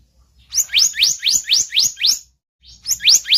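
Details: Lure call of a blue-banded kingfisher, a run of six sharp upward-sweeping whistled chirps at about four per second, a brief pause, then three more in the same pattern.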